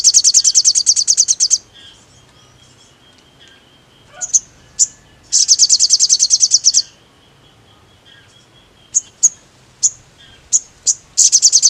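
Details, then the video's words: Sogon, the mangrove blue flycatcher, in energetic song used to provoke rival sogons. Dense high buzzing trills of about one and a half seconds alternate with pauses holding isolated sharp chip notes, with a thin faint whistle in between. "SUARA BURUNG SOGON BIKIN NGAMUK SOGON TROTOL METALIK EMOSI"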